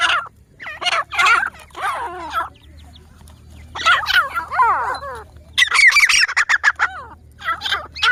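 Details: Grey francolin, a ground bird of cultivated land and scrub, producing harsh slurred notes with sweeping harmonics in irregular bursts, then a rapid series of short sharp notes, over a low constant hum.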